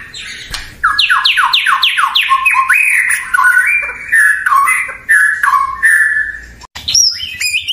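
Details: White-rumped shama, a popular kept songbird, delivers a loud varied song: a fast series of descending slurred whistles followed by rising and falling melodic phrases and a brief high flourish.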